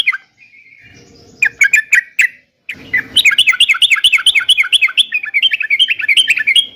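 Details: Yellow-vented bulbul song for drawing answers from other bulbuls: a short whistle, a few sharp chirps, then a long lively stream of quick, warbling, up-and-down notes delivered several times a second over faint background hum.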